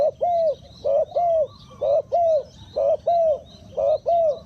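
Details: Luring decoy spotted dove cooing in regular doubled notes, a brief coo followed by a longer falling one, repeated roughly every second, faint twittering of small birds behind.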